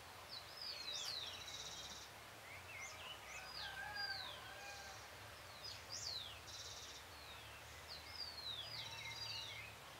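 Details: Full moon evening, 13 June 2022 near 6:26 PM, with a great thrush in song: continuous run of thin whistled slurs and squeaky upward and downward notes, with occasional buzzy bursts, against constant low hiss.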